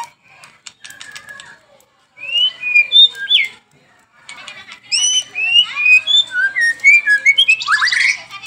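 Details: White-rumped shama, a cage bird, singing varied slurred whistles that rise and fall, with a soft scratchy passage, then a lively string of bright whistled notes ending in a rough rising sweep.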